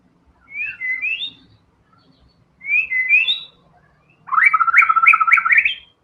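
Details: Prolific white-rumped shama song in the 'tembakan' style: two separate sweeping, warbled whistle phrases, then a loud rapid stutter of rising and falling notes. A soft low hum runs underneath.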